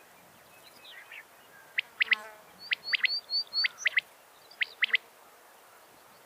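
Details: A female common quail gives sharp, high, clicking notes in quick pairs and triplets, several bursts over a few seconds, over faint steady hiss; a call said to draw quail flying in.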